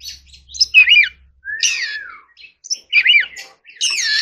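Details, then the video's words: Forest-voice song from an Oriental magpie-robin being trained: looping whistled notes, a long clear whistle falling away, then more curled phrases and a buzzy rising burst at the close. "choè than hót giọng rừng"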